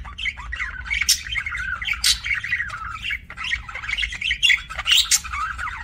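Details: Pet budgies chattering in an aviary, a continuous stream of quick warbled chirps and scratchy squawks, bursts roughly every half second, overlapping voices and a faint low hum in the background.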